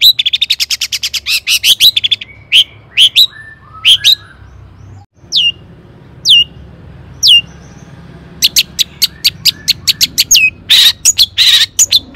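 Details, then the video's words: Long-tailed shrike singing to stir rival shrikes: rapid runs of sharp clicking notes, then scattered rising squeaky chirps, followed by dense rattling bursts near the end. "cendet gacor AMPUH TOET TOET PANCINGAN CENDET AGAR BUNYI"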